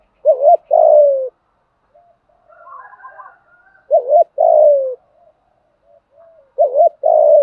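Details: Spotted dove giving fighting coos to provoke wild birds and teach decoys to sing: a low rippling double note and a drawn-out falling coo, repeated three times roughly every three seconds, soft grumbling in the pauses.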